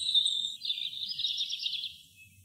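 A robin gives a thin, high drawn-out note, then a quick run of twittering, warbling phrases that fade after about two seconds. Only faint low rumble lies beneath.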